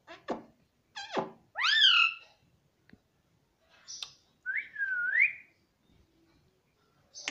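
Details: Indian ringneck parrot, a household pet, gives short whistled notes and swooping calls. One phrase rises then dips; another is a wavering whistle that climbs at the end, with quiet gaps between.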